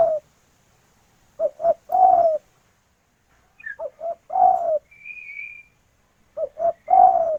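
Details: Spotted dove female calling for a male, local bird: phrases of two short coos plus a longer descending coo, repeated three times, with a faint high whistle from another bird in a pause.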